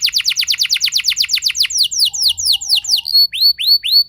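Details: Loud canary rolling song in the 'ngeroll' style, meant to make other canaries sing: a quick series of high falling notes slows into broad downward sweeps, then repeated arched whistles.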